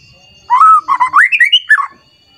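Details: Agitated white-rumped shama singing in provoked, emotional mood against a rival: a burst of rich whistled notes sliding upward and rising in steps, ending on a falling phrase, with faint background hum.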